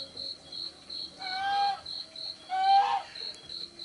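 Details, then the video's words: Young spotted dove giving two short, harmonic, slightly rising calls about a second apart. A steady, rapid, cricket-like pulsing continues in the background. "Chim Cu Gáy Con Rất Dễ Thương"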